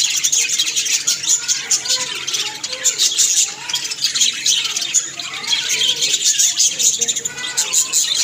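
Budgerigars warble a busy, continuous chatter of scratchy chirps, clicks and bright squeaks.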